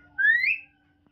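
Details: Talking hill myna kept as a pet producing a smooth whistle that climbs steadily upward, with a faint low hum indoors.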